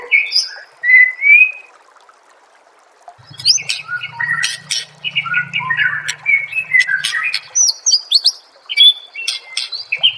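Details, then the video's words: White-rumped shama song from a songbird training master: an opening rising whistle, a short pause, then busy high chirps, clicks and whistled notes over a faint low hum. "Masteran murai"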